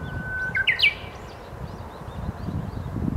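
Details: Japanese bush warbler song outdoors: a long steady whistled note followed by a quick rising flourish of clear notes, then echo fading, with low rustling and background noise.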